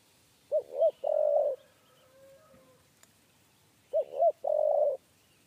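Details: Three-note 'kuk 3' coo of a spotted dove being lured to a trap cage, repeated twice about three and a half seconds apart: short hoot, short hoot, long burry note; a faint low hum and a click between phrases.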